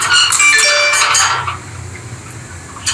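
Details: Playing pet rosy-faced lovebirds give a quick flurry of bright, ringing chirps with thin tonal squeaks for over a second, then fall mostly quiet.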